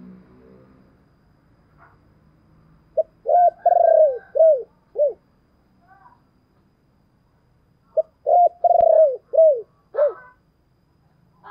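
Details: Cooing of a spotted dove used as a lure to provoke wild birds. Two complete phrases about five seconds apart, each a clipped opening note, a long purring coo, and two to three descending hoots, with faint clicks between.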